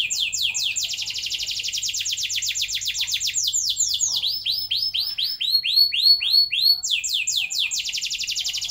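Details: Canary delivering long rolled song, a lure for young canaries to learn rolling. Dense fast trills are followed by a slower series of looping, swooping whistled notes, then a return to rapid rolls.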